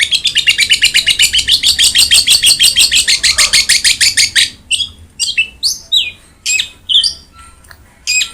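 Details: Long-tailed shrike singing as a model for a reluctant caged bird: a fast, steady volley of harsh, buzzy notes, about two per second or more, then slower separate sharp chirps.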